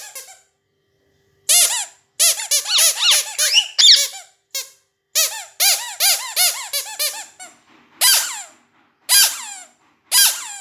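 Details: Indoor pet parrot uttering clustered bursts of grating squeaky calls separated by short silences, with occasional bright whistled inflections.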